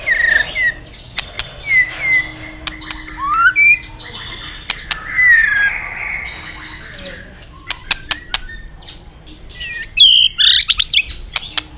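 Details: White-rumped shama song for training other shamas: scattered short whistles and slurred notes between frequent sharp clicks, a soft hum in the background, ending with louder high squeaky phrases.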